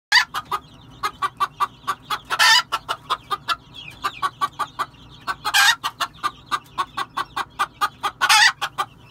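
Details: Red junglefowl giving a steady run of short, low clucks, about four a second. Three loud, harsh, hoarse squawks break in at intervals. Faint thin whistles sound in the background.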